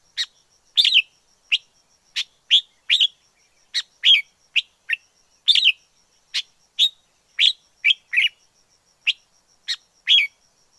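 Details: Singing wild red-whiskered bulbul from the forest: rapid series of clear, slurred chirps, often doubled, repeated almost continuously with short gaps. Nothing else heard beyond a faint steady high whine.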